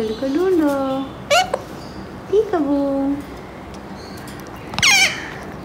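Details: Pet Alexandrine parakeet, a seven-month-old male, calling loudly on waking in the morning while learning incomplete words. Short rising-falling voice-like notes come about a second apart, ending in a harsh, high squawk.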